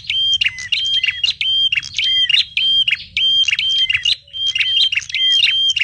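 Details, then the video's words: Small birds calling as a lure for trapping: piercing, high chirps and steady whistled notes in rapid phrases repeated about every half second, with a soft low rumble behind. "PIKAT BURUNG KECIL"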